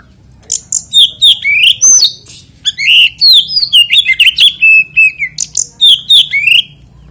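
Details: Oriental magpie-robin song to encourage other magpie-robins to sing: a long, dense sequence of loud whistles, buzzy rising sweeps and high chips, nearly continuous for about six seconds, with low background hum.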